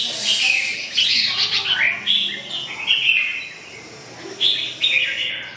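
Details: Red-whiskered bulbul with a busy, tumbling warble of overlapping chirps and slurred whistles, then two short, clear phrases near the end. A light hiss sits underneath.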